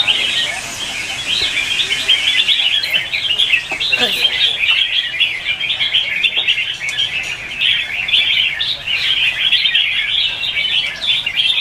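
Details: Red-whiskered bulbuls in morning competitive singing, used as lure song to train birds: a dense, continuous wash of bright overlapping chirps and warbles, many voices at once, with brief low calls near four seconds.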